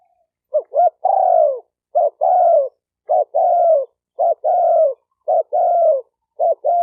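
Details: Spotted dove calling to train a newly caught bird, giving a steady series of coos. Each phrase has two short hooked notes, then a drawn-out falling coo, repeated about once a second. No other sounds.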